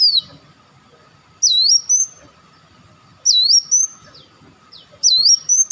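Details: Lure calls of an Olive-backed sunbird: a high, clear, down-up swooping whistle repeated about every two seconds, each trailing into a thin level tone, with a faint electrical hum beneath.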